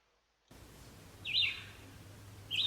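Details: Red-eyed Vireo song, sung as a phrase, a short pause, then another phrase, like a question answered: two high whistled slurred phrases about a second apart over a low steady hum.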